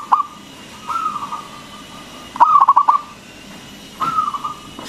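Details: Zebra dove of local stock in full song, played to stimulate quiet doves to call. Level drawn-out coos alternate with one quick burst of five or six throbbing coo notes.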